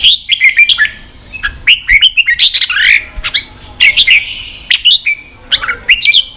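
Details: Red-whiskered bulbul song played to rouse fighting spirit; clear whistled phrases with rising and falling slurs, a held whistle near the end, and sharp ticking notes between phrases.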